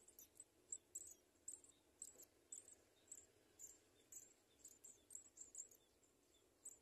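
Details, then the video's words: House sparrow parents feeding two small chicks; shrill, high-pitched peeping comes in short clustered bursts several times a second, fairly faint above a low background rumble. "HOUSE-SPARROW BIRDS FEED THE TWO LITTLE BIRDS"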